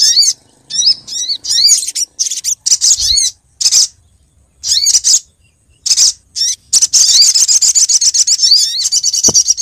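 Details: Female olive-backed sunbird calling the male, used as a lure sound: bursts of high, thin chirps and rapid sweeping twitters, separated by short silences, with a denser run of trilled notes near the end.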